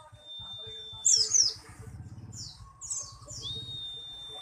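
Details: White-eye known as pleci buxtoni giving quick high twittering notes after a sustained level whistle, followed by more shrill chirps; faint low rumbling underneath.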